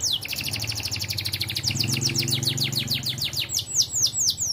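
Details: Canary singing in the 'ting ting' manner: a long, rapid, buzzy trill of tightly repeated notes that slows into separate downward-sweeping whistles, over a low background hum.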